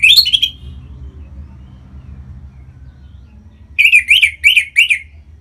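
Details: Orange-headed thrush song from Singaraja, North Bali, played to encourage other birds to sing: one quick whistled phrase, a silent pause, then four loud, evenly spaced, rising-falling notes.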